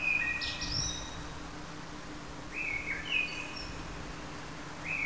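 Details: A singing common blackbird delivers mellow whistled phrases, each a short level or falling note, followed by thin squeaky twitters, repeated with short gaps over a constant low hum.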